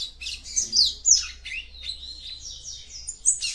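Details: Female capped seedeater (papa-capim) singing to stimulate the male: a continuous rapid twittering of high sliding and buzzy notes, several per second, filling the whole stretch.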